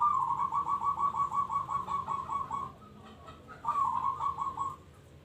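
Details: Local zebra dove singing actively: a fast run of about a dozen short, rolling coo notes, a brief pause, then a second shorter run, all in a steady mid-pitched rhythm over low background rumble.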